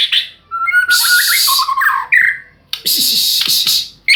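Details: White-rumped shama singing loud, varied phrases: clear whistled notes stepping between pitches, broken by harsh, broadband rasping bursts, with short silent gaps between phrases.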